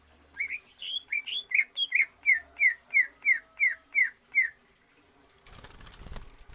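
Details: Greater green leafbird, trained for stamina without free-flight exercise to lengthen its breath. Around twelve clear, evenly spaced downslurred whistles repeat about three times a second, then the song stops and rustling noise takes over.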